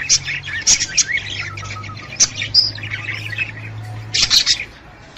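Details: Budgerigar calling used to stimulate a hen to breed: sporadic bright squeaks and chirps with softer warbling between, a loud cluster of chirps near the end, over a constant low hum.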